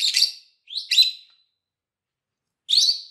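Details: Three bright, piercing lovebird chirps, two close together and one after a pause, used for teaching other lovebirds to sing.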